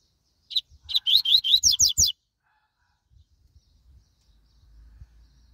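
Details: A spirited, fast-singing Double-collared seedeater produces one brisk phrase: a couple of lead-in chips, then about eight rapid high slurred notes rising at the end, followed by quiet with light background rustling.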